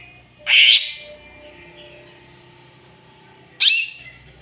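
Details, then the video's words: Greater green leafbird singing as if provoked by a rival: two loud, harsh, chattering bursts about three seconds apart, with a quiet gap between. "CUCAK IJO CARI LAWAN!!!bikin cucak ijo emosi"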